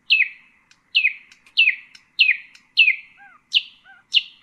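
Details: Nightingale phrase for teaching young birds: loud, falling, slightly buzzy notes repeated about every half second, about seven in a row, with soft low slurred notes in the gaps.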